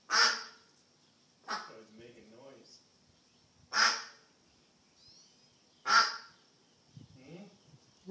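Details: Lost duck uttering four loud, raspy quacks separated by pauses of one to two seconds, with quieter low murmuring sounds in between.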